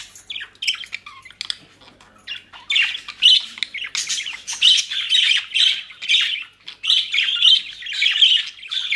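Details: Budgerigars kept as pets in Den Haag, Netherlands, feeding on dry leaves and grass from a bird shop. They give loud, rapid, scratchy warbling squawks in quick bursts of about two a second, almost without pause.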